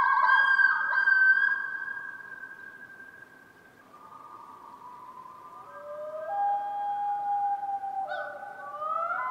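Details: Common Loon giving its wail, a long mournful cry used to communicate with a mate and locate each other on the lake: sustained, wavering tones that step down in pitch and fade, then overlapping drawn-out notes rising near the end.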